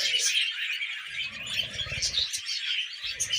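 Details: Pet budgerigars eating millet, chattering in a dense scratchy warble, with a low murmuring hum in the background.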